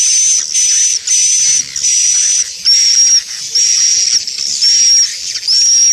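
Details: Sound used by swiftlet farmers to attract the birds: loud hissing buzzes each holding a thin high whistle, some ending in a slight downward slur, repeated about once per second.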